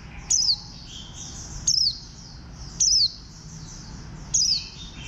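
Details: A warbling white-eye described as having a bantam-like build repeats a loud, thin, descending slurred note four times at uneven gaps of one to two seconds against a steady wash of high chirping from other birds.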